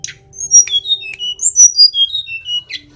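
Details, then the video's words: Sulingan or tledekan gunung from Kokap, Kulon Progo, Yogyakarta, a small mimic: a sequence of pure whistled notes stepping up and down in pitch, punctuated by a few short sharp clicks, with a faint steady low hum. "tledekan/sulingan gunung gacor"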